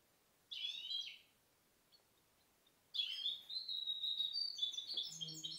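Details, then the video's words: Goldfinch hybrid (mixto de jilguero), hatched 2010, nicknamed "tormenta": a short bright twittering phrase, a pause, then a fast run of high chirps, trills and thin whistled notes. "Mixto jilguero pio 2010 alias el "tormenta""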